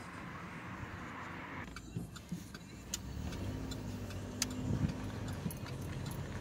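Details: Low rumbling motor-vehicle noise with an engine starting and scattered metallic jangling clicks; no animal voice stands out.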